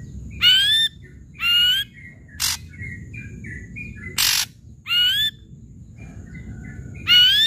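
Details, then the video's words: Ashy drongo singing loudly, rising slurred whistles with rich harmonics interspersed with harsh broadband rasps, about one phrase each second, over a faint low hum. "Srigunting gacor SUARA KERAS"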